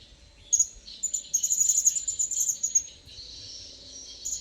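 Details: A wild blue-crowned hanging parrot comes closer, giving a rapid run of sharp, high-pitched tsit notes for about two seconds before the notes stop, leaving a constant high hiss.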